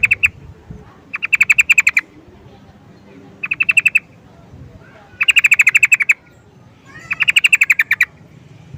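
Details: Trucukan (sooty-headed bulbul) call: repeated bursts of quick, bright, rattling notes, some bursts longer and louder than others, spaced one to two seconds apart over a faint low hum.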